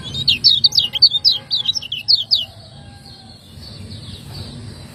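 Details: Caged lemon-bellied white-eye, a Lombok bird, singing 'ciak ngejos' for training other birds: about two and a half seconds of quick, high, zigzag chirps in steady succession, then only low background hum.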